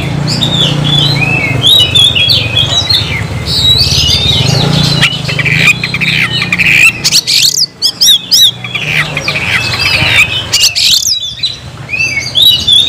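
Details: Caged oriental magpie-robin in a long bout of song: fast varied chirps, whistles and harsh squawky notes, some scratchy clicks, over a steady low rumbling background.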